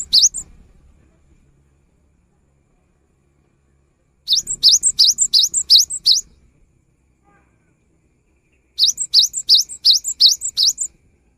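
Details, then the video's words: Singing cinereous tit, a recording meant to spur silent birds to sing: two bursts of six or seven high, rising two-part whistled phrases, separated by several seconds of silence. "Suara GELATIK BATU GACOR"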